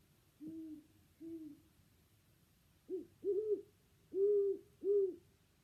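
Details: Great Horned Owl played back in a spring-sounds listening lesson: low, soft hoots around 300–400, six notes in two groups, a pair then a quicker run of four, each hoot short with a slight rise and fall, quiet room background.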